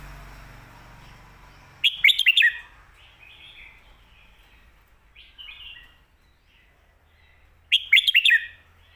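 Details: Red-whiskered bulbul singing the 'Phat Kuai Tiao' / 'Khayao Khuat' song, used for teaching birds at home. Two matching phrases of fast, lilting whistles about six seconds apart, with soft chirps from other birds between them.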